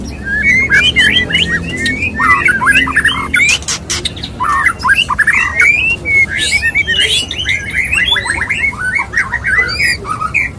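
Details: Male white-rumped shama courting a female: rich, varied whistled phrases with rising and falling slurs, interspersed with sharp broadband clicks and chacks, delivered in dense rapid bursts with little pause.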